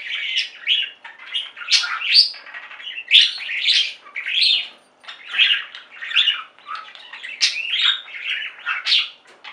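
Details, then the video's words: Flock of budgerigars singing and chirping: rhythmic bursts of warbling chatter about twice a second, mixing squeaky rising chirps and buzzy notes. "Most Beautiful Budgie songs Ever: Budgies singing and chirping"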